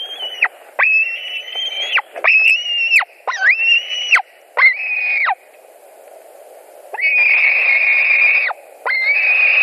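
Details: White-tailed eagle nest in Latvia on a July 2020 evening at 22:00, during a fish delivery: a run of high, strained whistled squeals, some short and some drawn out, with falling ends and a longer silence before two final notes.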